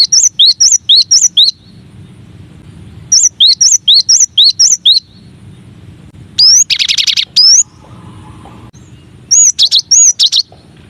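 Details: Cinereous tit singing a masteran variation, one of nine: quick bursts of looping whistled phrases, a buzzy trill in the middle, and a closing run of ringing looped notes.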